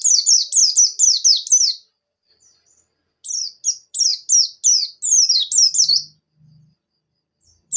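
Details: Javan white-eye of the buxtoni type pours out rolling gacor song meant to get wild-caught birds singing: two long runs of rapid, high, falling twittered notes separated by a pause, with faint low thuds near the end.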